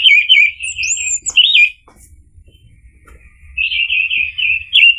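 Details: Orange-headed thrush lure song for a bird that has stopped singing: a loud whistled trill with high sweeping notes above, a short near-silence, then another bright trilling run.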